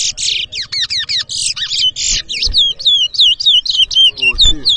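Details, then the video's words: Chestnut-bellied seed finch at a Guyanese bird-whistling competition in Edinburgh Village, 2023; rapid high buzzy notes give way to a clear series of falling whistled slurs repeated about four per second, with a few voices nearby. "TOWA TOWA BIRD WHISTLING COMPETITION IN EDINBURGH VILLAGE"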